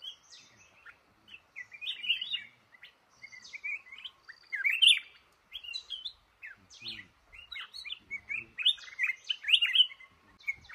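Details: Red-whiskered bulbul, a trapped male in a cashew orchard, pours out continuous bubbly, whistled phrases. Loud bursts come every few seconds, with faint low clicks in the background.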